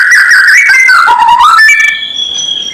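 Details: White-rumped shama call used to provoke rival birds into agitation: loud whistled notes sliding down then rising in steps, followed by a quieter high thin tone.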